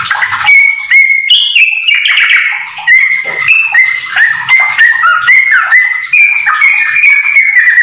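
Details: Caged yellow-vented bulbul in full, lively song mixing in borrowed white-rumped shama phrases, recorded to train other house bulbuls; a dense, unbroken run of short clear whistles, each note stepping up or down in pitch.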